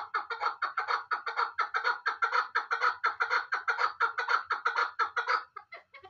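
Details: Loud rhythmic chukar partridge calling, a steady train of harsh chuck notes about twice a second for five seconds, ending with a few scattered softer notes.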